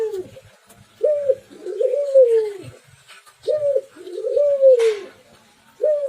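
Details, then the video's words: Spotted dove cooing in two strange-sounding voices: low soft coos, a short note followed by a longer drawn-out falling coo, repeated about every two and a half seconds, in a small room. "Burung Berderuk Tikukur Gacor Berkicau Dua Suara Aneh"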